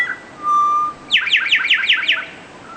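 An Eastern towhee gives one low, steady whistled note, then a quick trill of about six bright, down-slurred notes.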